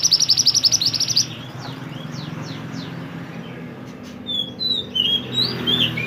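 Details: Mantenan (pied bushchat) singing eagerly, recorded to train songbirds: begins with a fast pulsing trill of high chirps, then thin downward sweeps, a quiet gap, and looping whistled notes at the end, with a low hum throughout.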